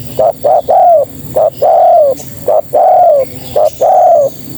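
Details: A female spotted dove calls to males in a steady pattern of two short coos and one longer falling coo, repeated three times in close succession.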